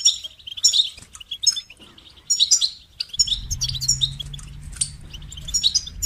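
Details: Goldfinch singing a rapid, tinkling twitter of high notes and short buzzy trills in bursts. A low rumbling hum joins partway through.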